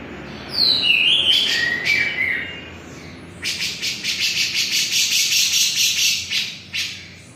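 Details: Grey-cheeked bulbul from Java in full song, opening with descending clear whistles and then breaking into a fast series of rough, buzzy chattering notes repeated nearly three times a second.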